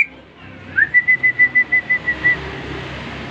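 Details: Recently purchased greater green leafbird in a cage responding to whistling with a short upward slur leading into about ten evenly spaced, clear whistled pulses at one pitch.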